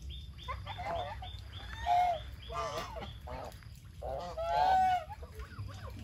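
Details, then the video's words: Feeding geese on a farm: a string of short, high, evenly spaced peeping notes opens, then deeper drawn-out nasal honks from several birds follow in uneven bursts. "Beautiful Goose are eating their food"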